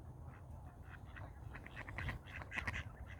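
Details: Ducks fighting, quiet at first, then a short burst of harsh, nasal quacking calls in the second half, with low rumbling background noise throughout.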